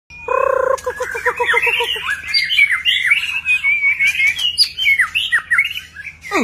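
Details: White-rumped shama singing during display, many varied notes: opens with low, harsh, rapidly repeated notes, then a flowing run of clear whistles and quick up-and-down slurs, over a faint low hum.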